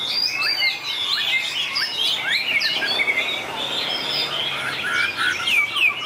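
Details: Competition singing by white-rumped shama, the song long and changeable: rapid, tangled bright whistles and quick upslurs and downslurs crowd together without a break, a steady, loud flow of varied notes.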